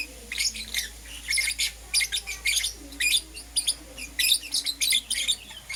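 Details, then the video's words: Lovebirds of Euwing Green Opaline and Lutino mutations in the morning: steady stream of short shrill chirps, roughly one and a half per second, uneven in spacing and slightly buzzy. "Lovebird Chirping Sounds"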